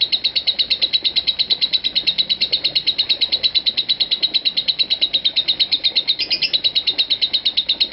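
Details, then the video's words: Lovebird in a continuous ngekek trill, part of an unbroken run of over five minutes: rapid, even, high chattering pulses, roughly three per second, with no pause. "Aksi Ngekek Love Bird Marco 5 Menit 25 Detik Tanpa Putus"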